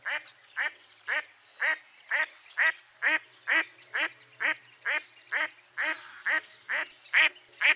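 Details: Mottled duck, a dabbling duck of eastern North America, giving a steady train of about sixteen raspy quacks, roughly two per second, even in loudness with the last few louder.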